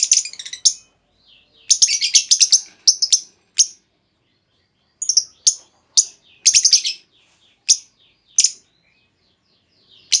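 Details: Female lovebird calling to draw a trilling response from other lovebirds; repeated bursts of piercing, harsh high chirps, some runs rapid and clustered, others single sharp notes spaced about a second apart.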